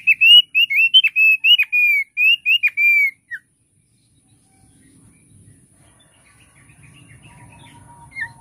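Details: Thick-billed heleia delivering about three seconds of bright, rapid whistled notes in a quick series, then falling silent with only faint background hum afterward.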